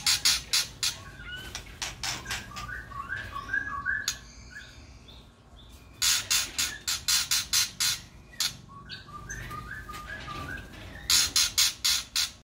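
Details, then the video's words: In an aviary, white-rumped shama chicks receive food from a parent, calling in rapid volleys of harsh, breathy rasps, about four per second, alternating with quieter stretches of soft, short twittering notes. "Pelolohan anak murai batu oleh induknya di aviary"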